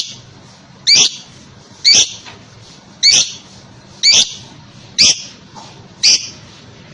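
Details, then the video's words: Lovebird used to coax other lovebirds into answering; loud, grating high shrieks repeat about once a second, six in all, over faint background hiss. "Burung Lovebird manapun akan nyaut dan ngekek panjang setelah dengar ini"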